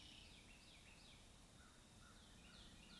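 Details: At a lakeside loblolly pine nest in Louisiana's Kisatchie National Forest, a bald eaglet guarding its food repeats shrill, wavering, downslurred squeals in quick series against constant low rumbling noise.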